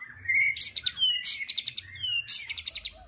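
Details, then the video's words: Murai batu (white-rumped shama) 'tembakan' song: a clear rising whistle broken by three loud, harsh, crackling bursts of rapid high notes. "Tembakan Murai Batu Yang Membuat Kita Tidak Bosan Menontonnya Berkali-kali || WHITE RUMPED SHAMA"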